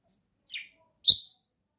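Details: Pet budgerigars playing and preening together indoors: two short high chirps half a second apart, the second louder with a brief low thump beneath it, otherwise quiet.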